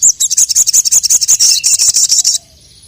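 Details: Crested jay calling out a rival: a loud, continuous high rattle of quick metallic notes, about seven per second, lasts over two seconds before stopping abruptly into near silence.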